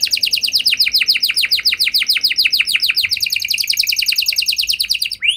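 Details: A canary sings a long run of fast, evenly repeated downward chirps, a song meant to set other canaries singing too.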